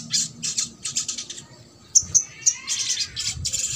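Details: Trotol song from a sogok ontong, a recording played to bring silent birds into song: clustered very high squeaky bursts, three piercing chirps near the middle, then more rapid shrill chatter.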